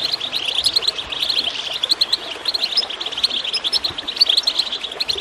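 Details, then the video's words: Continuous high goldfinch twittering with gurgling water, meant to prompt birds to sing. Quick bright chirps run almost without pause, a steady sparkling chatter. "Water gurgling with goldfinch chirping to encourage birds to song"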